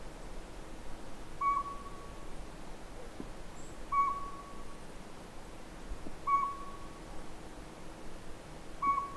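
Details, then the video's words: Northern pygmy owl calling near the Sea to Sky Gondola: four evenly pitched, hollow whistled toots, repeated roughly every two and a half seconds, each with a brief fading tail, over faint low background hum. "Northern Pygmy-Owl"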